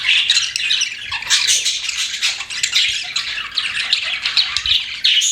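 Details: Cute pet budgerigars chattering continuously, a grating, buzzy mix of chirps and squawks with a few clearer whistles.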